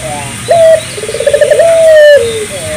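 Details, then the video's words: One full spotted dove phrase used to stimulate local doves: a sharp rising note, a quick rolling pulsed trill, then a long steady coo easing downward, over quiet background hiss. "suara burung puter gacor,merangsang burung puter lokal ikut gacor"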